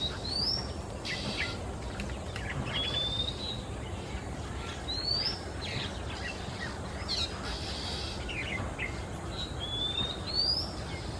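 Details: Quiet-afternoon song of a male Oriental magpie-robin in Singapore; loud rising whistles spaced a few seconds apart, separated by rasping screech-like bursts and soft twitters, over constant low ambient noise.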